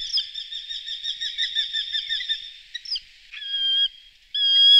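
Eurasian hobby giving a fast, high run of sharp 'kew' notes, about five a second for nearly three seconds, then two longer, level whistled notes.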